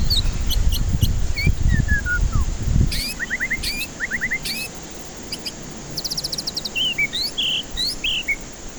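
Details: White-rumped shama singing, used to coax stressed, silent birds into song: descending whistled notes, rapid triple upslurs, a fast high rattle and buzzy notes, with low rumbling noise early on.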